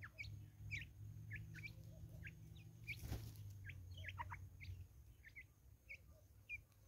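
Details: Flock of Natal spurfowls in woods in South Africa, many birds calling at once with quick, chattering bursts of harsh descending notes, a brief rustle near the middle, steady low hum underneath.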